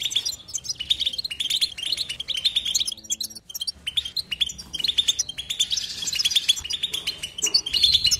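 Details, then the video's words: European goldfinch in non-stop batbata song, a long run of fast, buzzy, tinkling twitters and chattering notes, growing denser and brighter toward the end. "بتبته حسون لا صمت"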